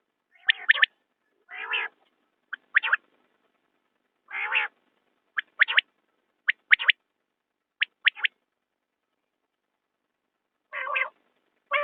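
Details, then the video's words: Common quail giving clipped three-note phrases at irregular intervals, alternating with rougher, nasal harmonic bursts; quiet background with no other clear sounds. "بٹیر کی آواز/ quail bird sound"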